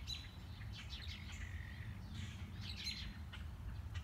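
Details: Mockingbird during a morning walk, running through its repertoire: mixed chirps and a drawn-out falling whistle, then more varied quick notes, against low background rumble.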